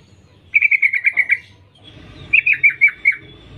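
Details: Sooty-headed bulbul female calling to males: one run of about eight quick, clear chattering notes, then a slower second run of five or six slurred notes, with a faint hum underneath.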